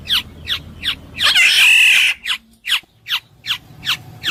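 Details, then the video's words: Kepodang emas, the Black-naped oriole, repeats sharp, downward-slurred notes at a steady pace, broken by a loud, harsh, rasping burst lasting nearly a second. "suara burung kepodang emas jernih"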